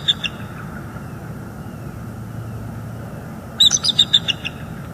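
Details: Bald eagle pair at their nest in northeast Florida on the morning of 29 September 2021, heard through a live nest cam. The male tries to mate, the female refuses, and the two call together. A burst of high, rapid, stepping chittering notes follows steady hiss.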